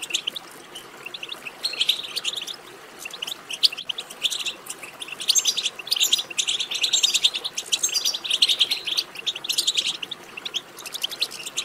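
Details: Chattering goldfinch twitter intended to set a goldfinch singing: sparse high chirps at first, then an increasingly dense, jangling run of quick notes through the later part.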